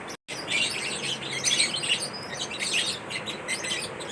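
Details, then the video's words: Lovebirds during a mating ritual give dense, overlapping high-pitched chirps and twittering notes in quick bursts throughout, over a steady background hiss. "lovebirds mating Rituals l love bird sound l attract your love birds chirping sound lovebird"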